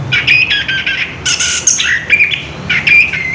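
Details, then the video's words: Caged orange-headed thrush delivering a wild rolling song, loud harsh chattering phrases mixed with whistled notes and sudden bright upward slurs, sung in quick bursts. "Burung Anis kembang ngerol edan luar biasa"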